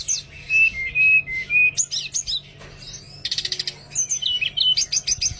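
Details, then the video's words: Oriental magpie-robin singing, used to prompt a quiet bird to sing: sweet slurred whistles and fluttering phrases, then a harsh buzzy rattle of rapid pulses midway, followed by more bright whistled notes over a faint background hum. "suara terapi teledekan males bunyi"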